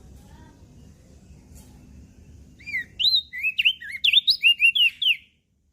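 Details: Persistent singing from a mountain leaf warbler: after a quiet start, a fast string of high, looping whistled notes, around a dozen in under three seconds, ends abruptly.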